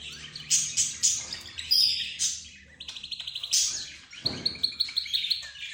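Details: A mixed flock said to include budgerigars, zebra finches, the 'roz' bird and a canary leading; loud chirped bursts, a rapid rattling trill midway, then evenly spaced sharp high chips.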